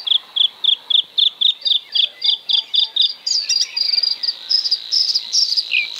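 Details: Bluethroat (Luscinia svecica) singing a steady, even series of bright repeated notes, about four per second, shifting after three seconds into higher buzzy, ringing phrases and a falling note.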